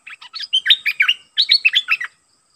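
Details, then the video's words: Red-eyed bulbul working as a decoy toward wild birds, singing two short bursts of bubbly, warbled notes that jump up and down in pitch, separated by a brief gap, over a faint steady high hiss. "เสียงนกดอกแตงEp.110Birds sounds #นกต่อเจ้าขุนศึก สับริกใส่นกป่า Suara pikat merbah lekir"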